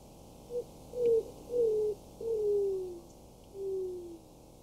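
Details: A Greater Roadrunner perched in a tree at Falcon State Park, southern Texas, gives a series of low, dove-like coos, each sliding downward.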